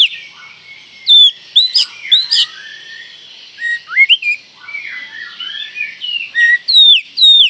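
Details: Provoking call of an Oriental magpie-robin: bright whistled notes, sharply rising or falling, come in loose clusters separated by softer, lower twittering.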